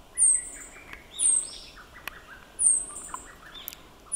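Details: Meadow bunting, 31 May 2022, captured on an Olympus OM-D E-M1 Mark II: thin, piercing downslurred notes repeated roughly every 1.2 seconds, mixed with softer mid-pitched chirps from other birds and faint ambient noise.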